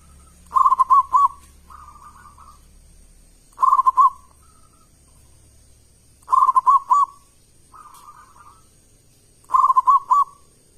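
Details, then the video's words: Loud, big-voiced song of a local zebra dove serving as a lure for other doves. Four bursts of quick, bubbling coos arrive about three seconds apart, with quieter purring notes in the gaps and a faint continuous high-pitched whine. "Perkutut lokal gacor suara keras besar - pancingan burung perkutut"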